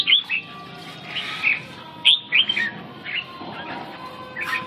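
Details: Red-whiskered bulbul giving a few clear, short whistled phrases, sliding notes separated by gaps of about a second, over a faint steady background hum.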